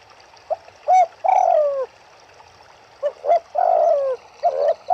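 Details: Turtle doves calling near a river, giving short clipped notes followed by longer, downward-slurring coos in two uneven bursts, with a soft background hiss.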